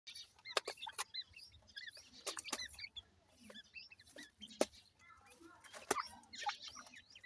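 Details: Ring-necked pheasant chicks playing in soil: many short, high, curved peeping chirps in quick scattered series, with sharp dry clicks and taps throughout.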